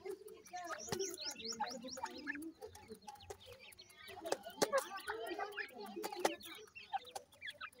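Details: Francolin chicks calling during feeding: many overlapping thin, high peeping notes that quickly rise and fall, over soft low clucks and a few sharp clicks.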